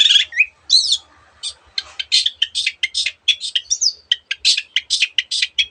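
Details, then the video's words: Long-tailed shrike (cendet, Lanius schach) in full song, used as a master recording and lure for other birds: a rapid jumble of harsh buzzy notes, chips and short slurred whistles, many mimicked voices, strung almost without pause. "cendet gacor masteran untuk burung yang susah bunyi banyak varian suara burung lainya"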